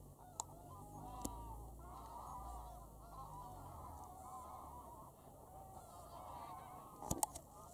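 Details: Numerous geese calling at Wicken Fen and Burwell Fen on 23 September 2016 in the evening while flocks land and lift off; continuous distant honking with a few sharp clicks.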